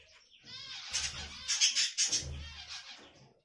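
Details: Budgerigar in rapid, busy warbling with fast chirps and trilled, buzzy notes, several louder bursts in the middle, over low thumping background noise.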